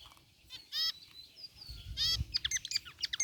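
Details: Zebra finches in a cage aviary, white and gray birds together, with a few loud nasal buzzy calls followed by a run of quick sharp chirps, plus a low rumble in between.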